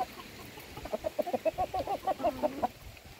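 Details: Chickens being fed, a rapid train of about a dozen short, evenly paced clucks in under two seconds, then quiet.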